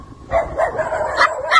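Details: A Moluccan cockatoo barks on seeing a dog, quick, harsh, yappy barks in a rapid series; he uses different barks for different dogs, a lighter yip for smaller dogs and a deeper woof for larger ones.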